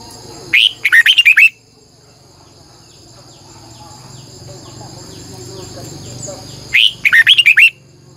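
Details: Lure red-whiskered bulbul singing strongly in the morning with a long twisted double voice; two separate bursts of rapid, bright warbled notes, five or six each, around six seconds apart, with a quiet buzzing background between.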